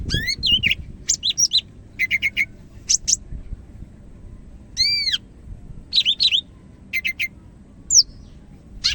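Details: Greater green leafbird of the Medan type singing vigorously: bursts of high chattering notes and arching, slurred whistles in short phrases separated by brief pauses, over a faint low background hum.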